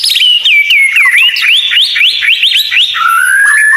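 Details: White-rumped shama tutor song: a rapid series of about a dozen repeated rising-then-falling whistled slurs, evenly spaced, ending in a long slowly rising whistle.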